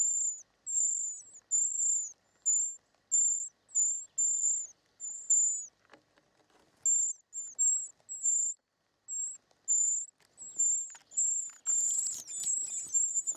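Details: Short-toed Treecreeper chicks being fed in the nest give very high, thin, hissing notes in quick bursts about twice a second, with a brief rustle near the end.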